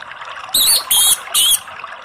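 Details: Orange-headed thrush singing in a relaxed style: three loud, high, rich warbled phrases about a third of a second each, separated by short gaps, over soft background noise.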